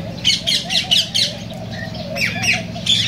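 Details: Cockatiel calls used to stimulate mating: loud, harsh squawking chirps in quick bursts about every quarter second, pausing briefly midway, over a faint low warbling chatter and a low hum.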